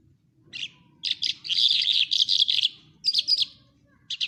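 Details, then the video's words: Lark song from Quetta, Pakistan: short high chirps building into a long, rich, buzzy warbling phrase, followed by brief twittered bursts; soft low background hum throughout. "Lark birds of Quetta singing very nice کوہٹہ لونڈا جل کی آواز"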